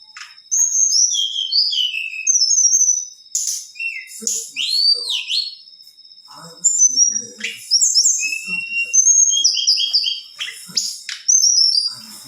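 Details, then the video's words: Black-winged flycatcher-shrike female singing to stir up males: rapid series of high trilled chirps, a looping downslurred whistle, and sharp clicks in bursts every second or two, against a quiet background. "SUARA TLEDEKAN BETINA GACOR"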